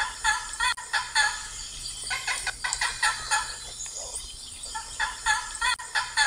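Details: Grating, harmonic squawks from blue macaws repeated in uneven groups over six seconds, calls sometimes overlapping, loud and harsh, with a quiet hiss in the background.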